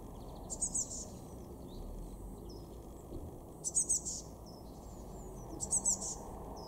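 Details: Blue tit calling in a garden at Weener, East Frisia, in Germany's far northwest, February 2024: three brief bursts of high, fast, thin trilled notes about every two and a half seconds, against constant low broadband rumble.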